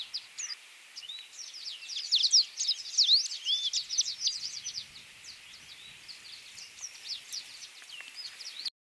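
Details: A Drakensberg siskin (Crithagra symonsi) sings a fast, jumbled, canary-like twitter of high, thin chirps and slurred notes, steady for about nine seconds with only faint background hiss.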